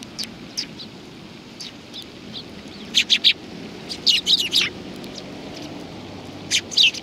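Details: Several sparrows perched on a bench at a Tenmangu shrine in Japan, recorded 30 January 2020: scattered short bright chirps, a tight cluster of three, then four quick ones in a row, with a quiet steady background hiss.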